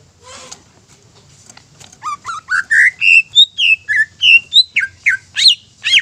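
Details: Greater green leafbird singing as a lure to excite rival leafbirds into song; a rasping note opens, then a fast run of clear whistled, slurred notes, about three per second, varying between low and high pitch.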